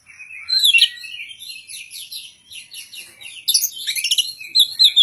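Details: Oriental magpie-robin prepared for a singing competition, pouring out dense, high, scratchy chatter and quick whistles, growing louder in the last second and a half.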